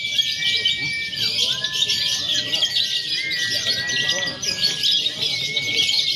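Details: Lovebirds in a training contest simulation of konslet, fighter and paud styles; continuous shrill chatter layered with long stepped whistles that drop, hold, then rise again.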